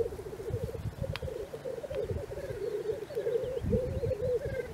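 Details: Black grouse at a morning lek in Cairngorm National Park: a steady, low, pulsing bubbling runs almost without a break, over rumbling low-pitched background noise.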